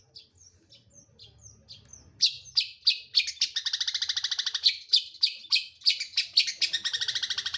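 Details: Long-tailed shrike: soft thin notes at first, then loud harsh chatter merging into rapid buzzy trills for most of the remaining five seconds.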